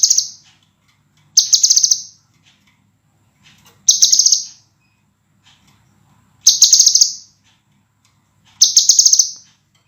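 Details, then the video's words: Scarlet minivet singing for a cage-bird training master recording. Five short, shrill, buzzy trills come at uneven intervals of two to three seconds against a near-silent background. "MASTERAN BURUNG SEPAH RAJA SUARA JERNIH RAPAT DAN TAJAM"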